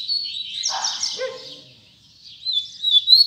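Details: High, buzzy twitter from a double-collared seedeater in the tui tui zel zel style, with quick downslurred notes. A brief raspy lower note follows, then a pause before a thin trilled phrase resumes.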